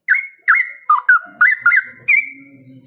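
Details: A pet straw-headed bulbul in full song pours out loud, rich, liquid notes in quick bursts, about seven phrases in three seconds, with a faint low hum behind; Straw-headed bulbul.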